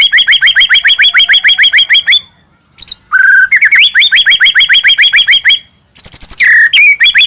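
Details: White-rumped shama from Medan, caged, singing as a lure to provoke other shamas: long rapid rattles of repeated sharp notes, about three and a half per second, separated by brief silences and a buzzy note.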